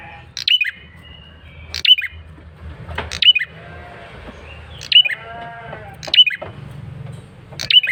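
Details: Persistent male bar-winged prinia lure call: sharp high chirps repeated roughly every 1.3 seconds, with brief whistled slurs and a wavering harmonic bleat in the middle, over steady low hum.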